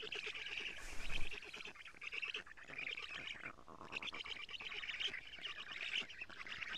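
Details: Black stork chicks at an Estonian nest, 14 June 2017, early morning, female delivering lampreys; nest camera. Continuous buzzy rasping, with a dull low thump near the start and a short quieter gap midway.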